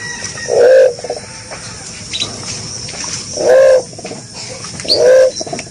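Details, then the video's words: Green pigeon giving three soft, mellow whistled coos spaced about two seconds apart, with faint higher notes between them and a constant hiss behind. "Pesona Punai, Burung Merpati Hijau Gacor"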